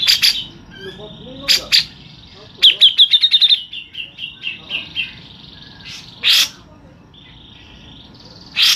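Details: Local grey-cheeked bulbul long rolling song used as a lure: sharp high notes, then a quick run of about eight bright chirps that slows into a falling, rolling series, with more loud notes after.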